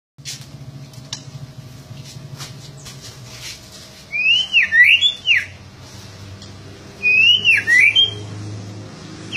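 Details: White-rumped shama singing vigorously: two loud bursts of rich whistled, swooping notes that climb and fall quickly, each lasting about a second and a half, with faint clicks and low hum in the background.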